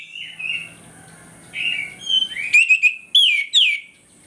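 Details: Morning ngeplong song of an orange-headed thrush, used to make other birds aggressive: soft warbled notes build into loud, quick whistled phrases with crisp overtones, three main bursts before fading.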